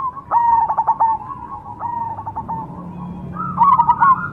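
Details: Zebra dove of the Cemani variety singing: stuttering phrases of quick staccato notes ending in a soft purring coo, two phrases separated by a quiet pause, then a brighter trilled phrase near the end.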